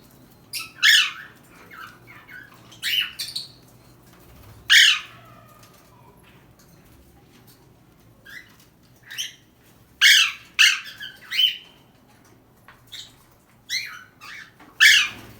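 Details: Pet Alexandrine parakeet trying to escape, calling in irregular bursts of loud, harsh, grating squawks, some single and some in quick pairs, separated by short silences.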